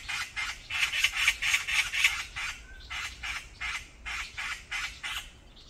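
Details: Brown-eared bulbuls quarrelling in a group on a mountain: a run of hoarse, raspy squawks at about four per second, a short gap, then another series of similar grating calls.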